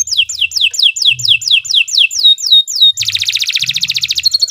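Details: Canary singing vigorously in the long 'gacor' style used to train other birds. About ten clear, steeply descending whistles are followed by a sudden fast, buzzy, rolling trill to the end.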